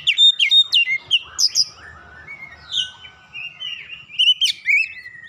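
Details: Oriental magpie-robin song meant to prompt other birds to sing: a fast series of loud, piercing whistles and sharp chirps, then a quieter stretch of soft notes, and a final burst of loud whistles.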